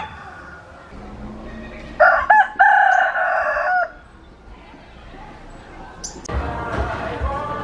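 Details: Cockerel giving a brassy crow of about two seconds, starting in two short broken notes and then a sustained tone, with a faint hum before it and a clatter of noise afterward.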